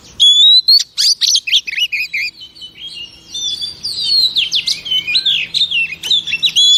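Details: Female oriental magpie-robin, a kept songbird, singing to stimulate males: a rich run of clear whistles, sweeping slurs and short chattering notes, dense and varied throughout with barely a pause.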